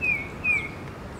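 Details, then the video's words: A male tufted titmouse that visits a person for peanuts gives a spring call: two clear, high whistled notes, each sliding slightly downward, about half a second apart, over faint outdoor background noise. "Tufted Titmouse spring call"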